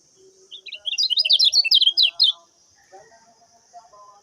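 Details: Common iora singing as a training master: a fast series of sharp, high chirps lasting about a second and a half, followed by soft low twittering and background calls under a steady hiss.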